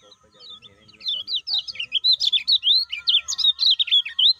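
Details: Lemon-bellied white-eye, likely a caged bird, used as a lure to stimulate other caged birds to sing: rapid, sweet, twittering notes swooping up and down in a continuous chattering run after a quiet start, with a faint steady hum.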